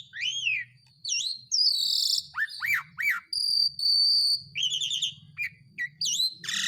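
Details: Asian pied starling singing as a lure for reluctant birds: arched whistles, hoarse buzzy phrases, long steady high whistles and sharp chattering notes, over a faint low hum.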